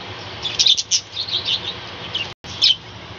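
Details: Caged budgerigar colony on a balcony in the morning: a run of bright, buzzy high chirps and warbles, a brief silent break, then a final loud chirp.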